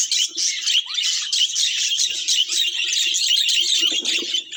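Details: Budgerigars kept as pets fill the air with busy, high-pitched chatter of squeaky chirps and rasping notes. It runs almost without a break, with faint lower taps beneath.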